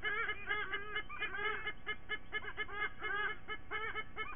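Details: Squonking of a white-bellied sea eagle pair, the parents of eaglets, near Sydney on September 29th: bouts of nasal, laughing honks with bent, wavering tones, in spaced groups over a steady low hum.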